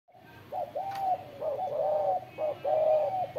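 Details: Spotted dove cooing: soft, low hooting notes in short paired and drawn-out phrases, about one phrase per second, with faint background hiss.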